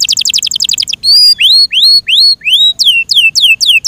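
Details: A pet Yorkshire canary gives a quick rattling run of notes, then a series of clear rising whistles followed by loud downslurred whistles, each roughly a third of a second apart.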